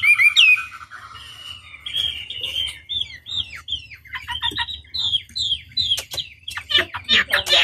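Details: Chinese hwamei, from a long-running master lure track for provoking opponents to respond, giving varied warbles and short downward-slurred whistles that grow louder and harsher toward the end, with scratchy notes mixed in.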